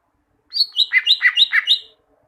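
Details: Song of a caged greater green leafbird, played to teach other caged birds: one rich phrase of six or seven loud, slurred, bubbling notes descending slightly, clear with no background noise.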